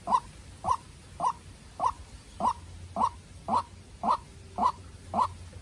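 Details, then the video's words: Young farm-raised decoy white-breasted waterhen clashing with a wild bird. About ten punchy, hoarse notes ring out at an even rhythm, one roughly every 0.55 seconds, in otherwise quiet surroundings. "Quốc Mồi Tơ Ra Trận Gặp Bổi Rừng Đấu Cực Căng"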